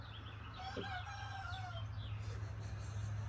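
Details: A young rooster going through "chicken puberty", with a cracky kid-like voice, tries a thin, cracking crow of about a second on a cold day, rising then trailing off unevenly, over a steady low rumble.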